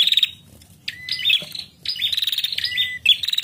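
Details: A female bar-winged prinia, used to stimulate male prinias to call, gives bursts of rapid, high, scratchy chattering with a few thin level whistles between phrases; nothing else is heard.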